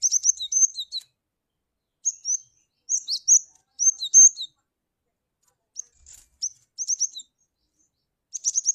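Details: Cinereous tit lure call, high chirping phrases of clipped notes and short thin whistles, delivered in irregular bursts with brief pauses between them; no other sounds.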